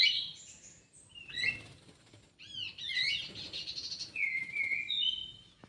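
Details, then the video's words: Kidangan kaso kaso bird singing in an aviary: varied whistles, a series of down-slurred chirps, then long thin level whistles, heard against steady low background noise. "BURUNG KIDANGAN KASO KASO"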